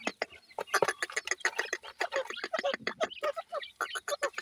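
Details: Young grey francolin chicks: a busy run of short, soft clucking peeps, overlapping and uneven, with brief clicking and rustling sounds between them.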